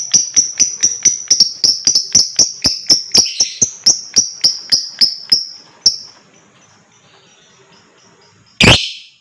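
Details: Lovebird making ngekek song, used to stimulate other birds to sing: a rapid, even stream of high, sharp chattering notes, roughly four a second, that stops abruptly, followed by quiet and then one loud harsh burst.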